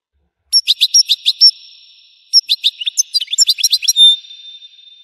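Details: Ringing European goldfinch song: evenly spaced bright chirps, a short pause, then a faster, more jumbled twittering phrase ending in a brief buzzy note.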